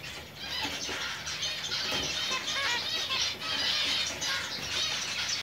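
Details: Five-month-old zebra finches fill the air with a dense, high chatter of nasal beeps and quick buzzy notes.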